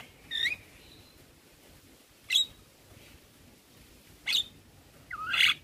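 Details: Javan myna in a starling tutoring recording: isolated squeaky, slurred calls spaced about two seconds apart against a quiet background.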